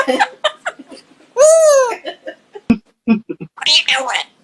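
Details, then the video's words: Indoors, a female African grey parrot named Kiki gives bursts of humanlike giggling and a long rising-falling squealing laugh, laughing and wheezing to set her owner off laughing, mixed with a person laughing and talking. "African Grey Parrot Kiki escalates laughing to make human laugh"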